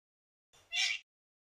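A little wattlebird gives one brief, harsh, rasping call lasting about half a second, loudest at the end. Nothing else is heard.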